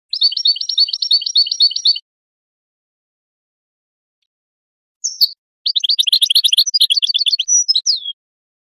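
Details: Song of a European goldfinch, played to prompt breeding: two seconds of dense, rapid twittering, a silent gap, then a sharp call and a longer, jangling run of high chirps ending in a slurred note.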